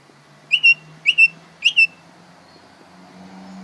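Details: Young greater green leafbird learning to sing, giving three paired whistled notes around two kilohertz, each pair a sharp upslurred note then a steady whistle, spaced about half a second apart over a quiet background hum.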